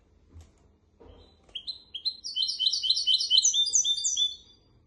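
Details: Song of a goldfinch x canary hybrid, recorded for teaching goldfinches and canaries: a couple of soft knocks, then a rising series of quick, high twittering phrases and trills that fade out near the end.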